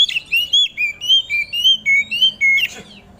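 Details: Kacer, the Oriental magpie-robin, singing in the morning dew to get other magpie-robins singing; a run of about nine pure whistled notes rising and dropping in turn, ending with a short harsher note.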